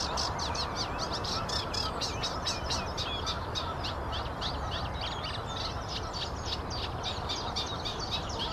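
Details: Reed warbler song, a fast unbroken churring chatter of grating notes repeated several times a second, with strong low-pitched background noise throughout.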